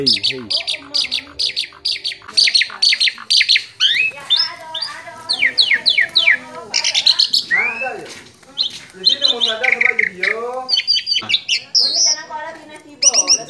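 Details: Asian pied starling song used as a training recording to prompt a quiet, reluctant bird to answer and sing: a dense, varied run of harsh chattering notes, rapid clicks and slurred whistles in quick bursts with brief pauses.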